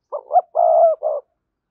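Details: Single cooing phrase of a spotted dove, played to draw in wild doves: two short lead-in notes, a drawn-out even coo and a clipped final note, in clean silence.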